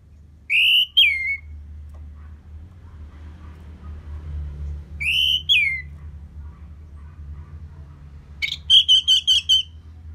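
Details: Orange-headed thrush after moulting, sound used to make the bird more aggressive: two clear whistled phrases, each a rising note with a sharp downward slur, a few seconds apart, then a quick run of about six short repeated whistles over low hum.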